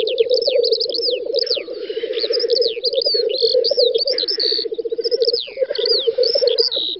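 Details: Several black grouse lekking in a spring field in western Russia's Volga region, 9–10 May 2019; loud rolling bubbling coos throughout, repeated hissing bursts, and busy high whistled birdsong in the background.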